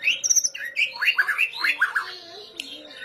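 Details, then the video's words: Murai batu, the white-rumped shama, singing hard in kretetan style as a lure: rapid run of varied chirps and warbled notes, rising and falling, then a quieter trailing phrase and a sharp click. "masteran pancingan kretetan burung murai batu gacor"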